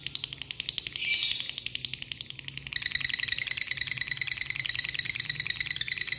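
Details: Long rapid trill from a lovebird calling a rival: dense, fast high-pitched rattling pulses that grow stronger after about three seconds, over a low background hum.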